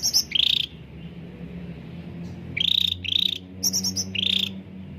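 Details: Cucak ranting bulbul, caged, singing as a lure: a buzzy chirp, a pause, then further buzzy chirps and high squeaks, with a low steady hum beneath.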